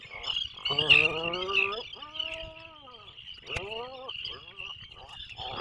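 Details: Burrow of breeding Atlantic puffins 21 miles off Maine, 2024: a series of rising then falling harmonic moans about a second long, separated by short gaps, with a faint high-pitched hum behind.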